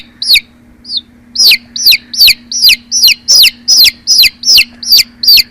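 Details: Chicks sitting in a basket peep loudly and steadily, each high note dropping sharply in pitch, repeated about twice a second.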